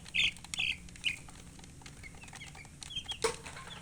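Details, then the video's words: Three loud, short, high chirps from colored chickens open, followed by fainter scattered peeps and a sharp knock near the end. "silly chicken chirping sounds"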